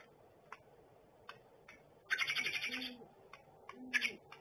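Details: Pair of great horned owls together at the nest, with two low hoots near 2.8 and 3.9 seconds. Bursts of high, rasping noise and scattered clicks overlap the calls.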